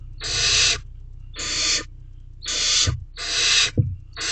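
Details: Barn owl inside a nest box at night, May 2023, as a mouse is eaten; drawn-out noisy hissing screeches with short gaps, plus a couple of soft low thumps from movement in the box.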